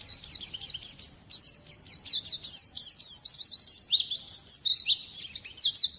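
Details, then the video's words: A white-eye, recorded for training other songbirds, delivers a dense, very high twittering song: rapid repeated chirps and sharp upward flicks in bursts, growing louder midway and continuing almost without pause. "Masteran burung pleci"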